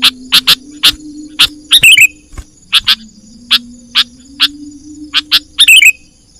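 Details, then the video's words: Harsh, clipped chip notes from a sooty-headed bulbul lure recording for catching wild birds, spaced unevenly about half a second apart, with two brief bubbly descending chatters and a faint low steady hum underneath. "Suara pikat burung kutilang gacor"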